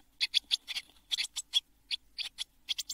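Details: Seven Eurasian blue tit nestlings calling inside a nest box just before fledging at Midsummer 2022; short harsh buzzy notes, high-pitched, delivered in quick uneven bursts with short pauses between groups.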